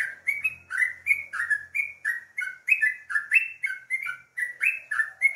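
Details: Clear, close song of a sooty-headed bulbul in the morning, a lively string of chirpy, bubbling whistles that rise and dip in quick succession, around three notes each second, over near silence.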